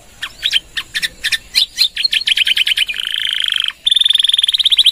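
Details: Canary in long phrasing for training other birds: spaced chirping notes speeding into a quick trill, a sustained buzzing section, a brief gap, then a fast, even high-pitched trill.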